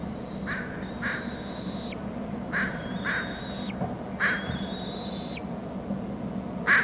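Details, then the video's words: Eaglets of bald eagles at their Hornby Island nest, adult bringing food: long thin high whistles ending in a quick downward slur, interleaved with loud short rasping bursts in pairs, over a constant low hum. "adult to the nest with food; churbles not all that interested"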